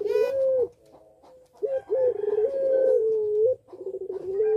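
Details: A Barbary dove (puter pelung) gives long, drawn-out, mellow coos in a quiet room, each a low sustained note broken by short catches, repeated with brief pauses. The cooing is used as a lure to bring other doves into breeding condition.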